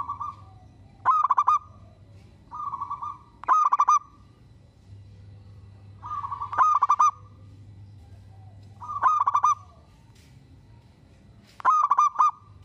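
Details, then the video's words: Singing local zebra dove, in full voice and said to set other zebra doves calling back: five phrases, each a smooth sustained coo followed by a rapid staccato cluster of pulsed notes, roughly every two to three seconds, over a low hum. "Perkutut lokal gacor bikin semua perkutut kepancing bunyi dan langsung NYAUT!!!"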